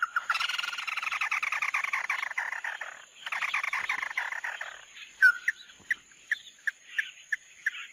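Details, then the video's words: Japanese white-eye lure recording: two bursts of dense rapid twittering warble, then a louder whistled note followed by spaced single chirps about every half second. "Tiếng chim Mắt Đỏ mới nhất"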